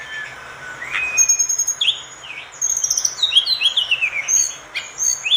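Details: Master song of an orange-spotted bulbul for training other birds: a soft low whistle, a short upward note, then a dense spell of quick, high, bouncing chirps and twitters.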